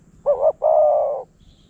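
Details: Single spotted dove phrase, from a wild bird coming to a decoy in Phrae, Thailand: a brief doubled note, then a longer even, throaty coo lasting over half a second.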